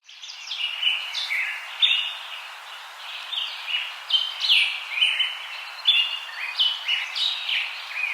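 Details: Budgerigars in an aviary chatter in a continuous stream of bright, scratchy warbles and short chirps.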